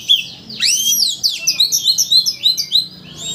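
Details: White-rumped shama singing to goad another shama into its full repertoire; a sweeping slurred whistle followed by a fast even series of repeated bright notes, then fading.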